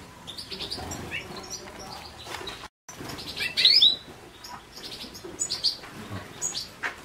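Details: European goldfinch twittering: high, scratchy chirps and a loud, sweet rising phrase after a brief silent gap, then scattered chirps.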